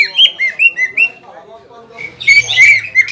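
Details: Greater green leafbird provoking a rival after its moult: a handful of loud, curling whistled notes, a quiet gap, then a harsher, squawking burst mixed with whistles.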